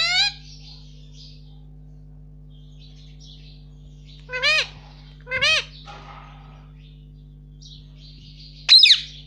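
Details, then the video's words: Indian ringneck parakeet kept as a pet, repeating "mummy" indoors: a series of separate arched, harmonic syllables spaced a second or more apart, ending with a sharp, shrill note, over a low electrical hum. "cute Indian ringneck parrot talking || no stop mummy bolne vala"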